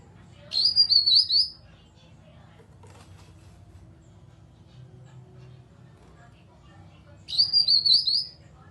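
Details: Grey-cheeked bulbul call used as a lure to get other birds singing: two identical rapid phrases of high, fluttering whistled notes about six seconds apart, with low background hum between.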